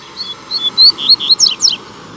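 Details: A male Double-collared Seedeater, loose in a town square and swooping low, sings a quick, high phrase of sweet whistled and slurred notes ending in several sharp down-slurred chips, over faint background hiss.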